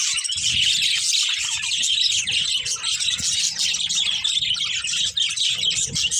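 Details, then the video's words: A budgerigar pair chatters constantly in a thick blend of chirps, squeaks and warbled whistles, with faint low background rumble. "Cute Budgies Chirping Sounds"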